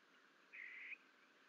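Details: A bald eagle chick, about 12 days old, at a Fort St Vrain nest on 21 April 2024, gives one thin, high squeal under half a second, level in pitch, over a soft hiss, as the chicks bonk each other after a parent leaves.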